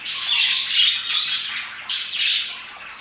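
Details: Parakeets chirping around 2pm, with three loud bursts of shrill, scratchy squawking and chirps, each trailing off into softer chatter.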